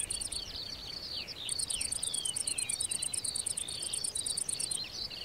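Eurasian skylark pours out a continuous, fast, twittering warble of high chirps and trills, with a steady pulsing insect chirr above it.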